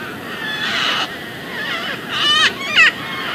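A Red-vented Cockatoo gives three harsh, raspy screeches: one drawn-out, then a longer grating call followed closely by a short, sharp burst.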